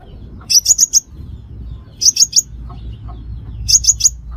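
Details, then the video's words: Trapping lure of the five-coloured sunbird: quick groups of three to four piercing high chips, each group about one and a half seconds apart, over a low steady background hum. "Tiếng chim hút mật 5 màu"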